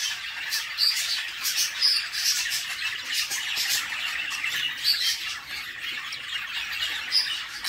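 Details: Nest-box budgie chicks demanding food from their mother: loud, scratchy squawks pulsing in quick repeated bursts, with thin high squeaks poking out now and then, kept up without pause.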